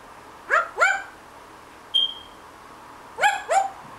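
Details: Pet parrot chattering in the morning while napping, making animal noises: two paired, harmonic bark-like yelps, a thin level whistle near two seconds, then another rising pair of yelps; quiet indoor background.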